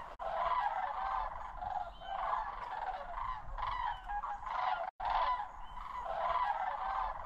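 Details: Migrating flocks of sandhill cranes pass over Osoyoos in the South Okanagan, British Columbia, Canada, a stopover on the September to October migration. Many birds give overlapping, rolling, trumpeting calls in a continuous chorus.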